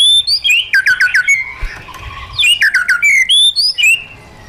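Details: White-rumped shama in wild-style song for training caged birds: fast cascades of downslurred whistles, a softer stretch of lower notes in the middle, then sweeping clear whistles and rising slurs.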